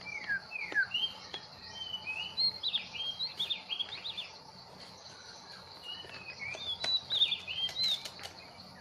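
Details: Long-tailed Bahorok white-rumped shama, freshly caught from the forest, delivering a fairly faint, varied run of high whistled and slurred notes with quick twittering phrases throughout, over background hiss and a low steady hum.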